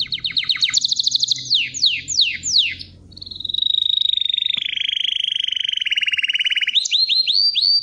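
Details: Canary singing a varied song: fast high rolling trills, then repeated downward-sweeping whistles, then a long buzzy rattling tour that steps down in pitch, ending in rising chirps. Quiet background.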